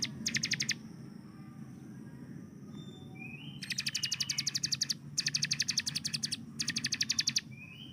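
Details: Hill prinia, known locally as ciblek gunung, kept as a master bird for training other songbirds: rapid machine-gun bursts of high sharp notes, three trills with pauses between, over low background hum.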